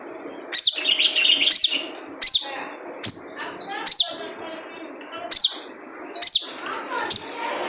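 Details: Typical calls of a wild sogon, a sunbird, used as a lure so kept birds start singing: steady series of sharp high slurred chirps roughly every three quarters of a second, with soft twittering between.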